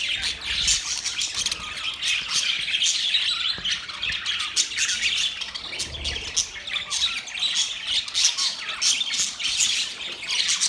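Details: Budgies producing mating sounds as a group, chattering together in a steady, unbroken stream of shrill overlapping chirps, scratchy warbles and quick squeaks that never pause.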